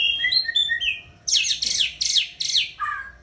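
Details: White-rumped shama from breeding stock singing: a run of clear whistled notes at varied pitches, then loud buzzy, harsh rasping phrases and a final short whistled note.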